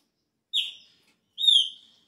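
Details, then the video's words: Chopi blackbird, start of the season with a changing song: two pure whistles almost a second apart, the first falling and fading, the second longer, level and ringing, with clear overtones. "PÁSSARO PRETO INÍCIO DA TEMPORADA ELES MUDA O CANTO !"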